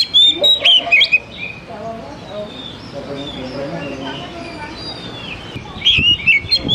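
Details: Lure song of the oriental magpie-robin, played so that young wild-caught juveniles begin singing fast. Crisp whistled and chirping phrases open and close the passage, with softer, murmuring sounds in between.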